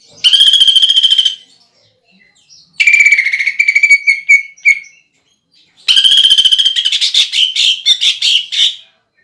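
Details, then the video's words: Greater green leafbird lure song meant to excite other leafbirds. Fast rattling trills come in three bursts, and the later ones break into choppy, stuttering pulses. "PANCINGAN CUCAK IJO ISIAN PELATUK BAWANG SAMBUNG TENGKEK BUTO DAN GEREJA TARUNG"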